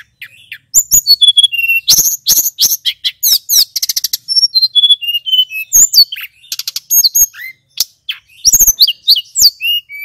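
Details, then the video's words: Lure song of a male Tledekan Gunung, the Snowy-browed Flycatcher, meant to raise the excitement of other flycatchers: a dense, rolling stream of piercing high chirps, fast stuttering trills and short descending whistles with barely a break. "Suara Tledekan Gunung PIKAT"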